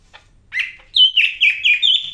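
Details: Greater green leafbird from Medan singing a fast phrase: a short upswept note, then five or six clear whistled notes, each dropping slightly, repeated at quick regular intervals.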